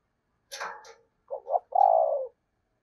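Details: Spotted dove decoy bird in 'giọng thổ' voice. A rustling knock is followed by a stuttering double coo and one long, deep, steady coo.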